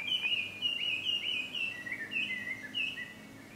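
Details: Chinese hwamei singing at Ikimono Fureai no Sato, Japan, 5 June 2020: a series of short bright whistled notes, some slurred downward, delivered in an irregular, chattering sequence with light background hiss.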